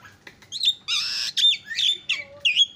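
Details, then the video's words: Javan myna (jalak kebo) with a loud song: a wheezy buzzing note followed by several bright whistled slurs and chirps in quick succession. "JUARA KICAU JALAK KEBO PALING KRREENN"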